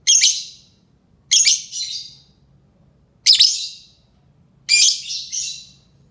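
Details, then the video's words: Lovebird call used to lure other lovebirds: four loud, harsh, high-pitched screechy bursts about every one and a half seconds, each a quick cluster of shrill chirps fading out, over a quiet low hum. "Suara lovebird ampuh untuk pancing lovebird lain"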